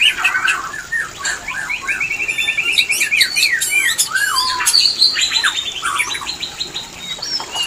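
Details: White-rumped shama mating song used to bring shamas into breeding: lively mix of rapid even trills, looping whistles and harsh chips, delivered almost without pause.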